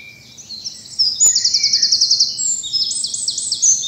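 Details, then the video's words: Morning birdsong in spring bluebell woods, South of England; a sharp click, then a loud fast trill of rapidly repeated high notes merging into a run of chattering, descending phrases. "Birdsong and bluebells in the morning sun"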